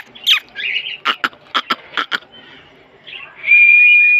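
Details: Pet green parrot, called a Mithu parrot, giving a scratchy squawk, a burst of about six sharp clicking chirps, then a long, steady, high whistle held for nearly a second at the end.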